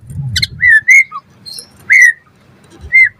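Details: White-rumped shama, used as a lure to set other shamas singing, gives clear, pure whistled notes roughly once a second, each a short downward slur, with a high chirp between them.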